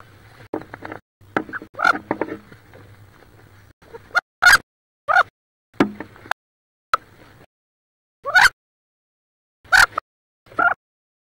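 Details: Wood duck hens squabbling inside a nest box near Richland, Washington, one hen sitting on about 18 eggs; loud harsh squealing bursts come in irregular spurts separated by short silences, with knocking and rustling inside the box.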